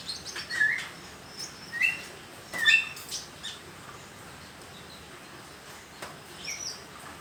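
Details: Juvenile konin practising its song: a cluster of three or four quick, high, twittering chirps in the first three seconds, then near quiet apart from faint distant notes.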